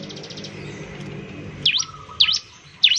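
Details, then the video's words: Bar-winged prinia in full song, used to prompt other prinias to sing: a buzzy, rattling high trill, then three sharp V-shaped whistled notes sweeping down and up at about half-second spacing. "ciblek semi gacor, memancing ciblek semi cepat bunyi"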